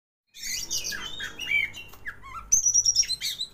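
An Oriental magpie-robin sings a rich, varied run of sweet whistles and scratchy chatters, some notes slurring downward, ending with a high, thin sustained whistle.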